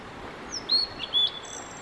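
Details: Male Blue-and-white flycatcher singing for a long stretch: a short high note, then clear sweet whistles stepping down and a final level whistle, loud and close over quiet background noise.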